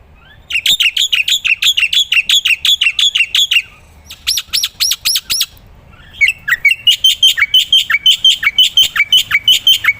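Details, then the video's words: Black-winged myna singing vigorously, a recording used to train other songbirds: three bursts of rapid, evenly spaced harsh chips separated by short pauses, the last burst lower and steadier. "burung masteran jalak putih gacor"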